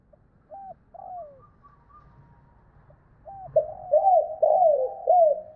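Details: Spotted dove calling to a hen in the two-note cooing style, recorded to excite decoy birds. Soft, low, downslurred coos come first, then a quiet pause, and a louder run of rapid, overlapping hollow coos closes the sequence.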